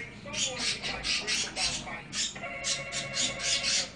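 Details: Parakeets playing in a tank cage chatter in harsh, scratchy bursts, about four a second, high and buzzy, with a thin steady whistle joining halfway through.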